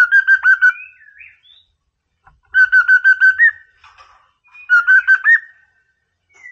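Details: White-rumped shama song for provoking an opponent: three bursts of rapid, evenly repeated whistled notes, each ending with a rising upturned whistle, spaced about two seconds apart.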